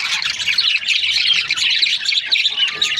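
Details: Brief burst of budgie chatter from breeding pairs, quick high chirps and a few upslurred whistles woven into a constant twittering background.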